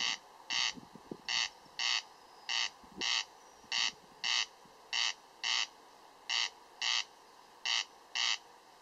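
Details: A corn crake (Crex crex) repeats its dry, rasping double note, crex-crex, seven times, about one pair every 1.2 seconds, over a faint low background hum.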